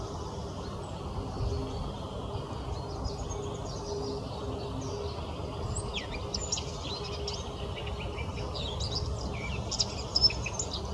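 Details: Eurasian blackcap singing scattered, high, varied warbling phrases with squeaky whistled notes, partly masked by constant low rumbling noise.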